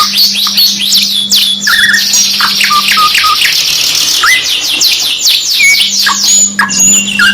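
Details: Dense canary singing from a mixed two-in-one training recording: rapid high buzzy trills and chirp series, with short lower whistled notes between them and a faint steady hum underneath.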